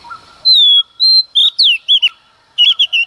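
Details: A female Oriental magpie-robin sings at dawn to provoke males, giving long clear whistles followed by slurred, descending notes and a final cluster of short warbled phrases.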